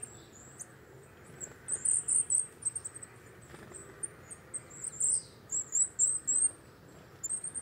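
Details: High, thin, squeaky notes from a coal tit (Periparus ater) come in uneven bursts of quick repeated phrases after a quiet start, with faint low rumble behind.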